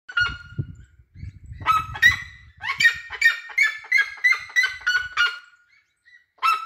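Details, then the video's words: Red-legged seriema singing: a loud, far-carrying series of harsh yelping notes, starting with a few spaced cries, then running into a fast, even chain of barking yelps before pausing and ending with a single cry; low rumbling noise early on. "O Cato da siriema"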